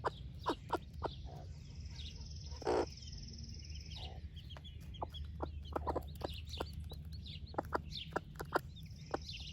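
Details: Broody splash laced red Wyandotte hen sharing her breakfast with her baby chicks: short sharp clucks and clicks, some quickly repeated, with high thin chick peeps above and a steady low background hum.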